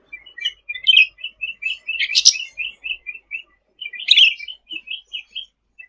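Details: Sooty-headed bulbul in full 'gacor' song for tutoring other birds: a long, rapid string of short high chips and twitters, rising into two louder, harsher bursts near two and four seconds, with a clean, quiet background.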